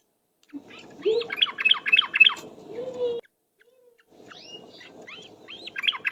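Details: Yellow-vented bulbul lure song in the rapid ropel style: bursts of quick, sharply descending chattering notes repeated several times a second, a short silent break, then another rapid run, over a steady low hum.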